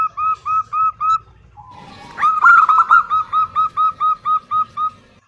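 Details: Zebra dove, a female calling to a male, gives a few spaced coos, then a loud, fast trilling burst followed by a long, steady train of evenly repeated fluty notes.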